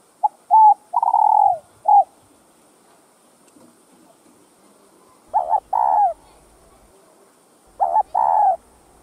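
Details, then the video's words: Cooing spotted dove, a kept bird in a recording meant to stimulate other doves; a run of short hoots around one longer coo, then two further phrases of a quick double note and a sustained coo, well separated by quiet pauses. "CHIM CU GÁY Giọng Hấp Dẫn ĐỦ BÀI [GÁY GỌI,THÚC,GÙ ]Kích Bổi Nhanh Nổi"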